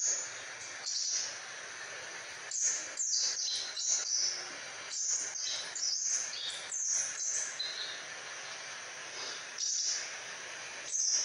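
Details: Crimson sunbird, kept as a training bird for other songbirds, singing actively: rapid bursts of very high, thin, sharp chirps and twitters, clustered in short runs separated by brief pauses across the whole stretch, with faint background hiss.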